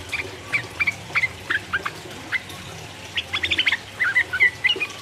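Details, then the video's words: Sooty-headed bulbul singing in the 'ropel uplik uplik' style to stir up rival birds: scattered short whistled and slurred notes, pausing mid-phrase before a denser flurry of quick chirpy notes. "trucuk gacor ropel uplik uplik merangsang lawan"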